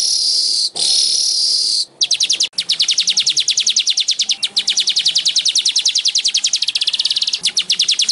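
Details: Baya weaver singing on a recording used to coax kept weavers into song: a harsh sizzling wheeze, then a long, even stream of fast clicking notes that runs on for about six seconds.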